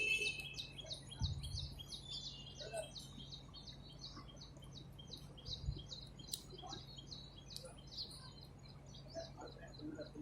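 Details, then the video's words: Wild songbirds singing in nature in spring: a dense chorus of short, high chirps repeated rapidly and overlapping throughout, with several birds calling at once over a steady low background hum. "تغريد العصافير في الطبيعه"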